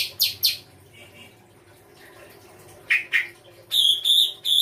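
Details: Songbird in full isian rai gosong kancer song: quick sharp high chips, soft lower twitters, a burst of harsh scratchy notes, then a run of bright repeated whistles, with a faint steady hum behind.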